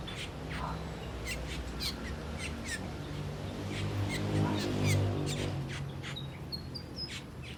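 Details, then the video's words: Asian glossy starlings feeding on ripe papaya fruit, giving sharp high metallic chips and short downslurred whistles, repeated irregularly about four per second, with a steady low hum beneath. "Asian Glossy Sterling Birds Making Noises while Feasting on Ripe Papaya Fruit"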